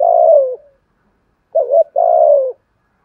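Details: Spotted dove in the 'thúc gù' lure-bird style: the tail of a long falling coo, a pause, then one full phrase of a wavering double hoot and a drawn-out coo that sinks at the end.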